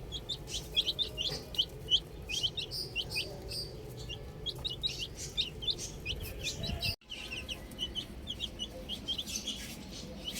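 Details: A group of chicks playing with a ball, chirping in a dense, unbroken stream of high descending peeps, with a brief silent cut partway through before the peeping resumes.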